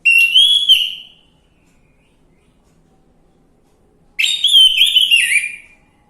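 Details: Lure song of an orange-headed thrush, played to get a bird that has stopped singing to respond: two loud whistled, warbling phrases about four seconds apart, the second longer and more varied, with silence between.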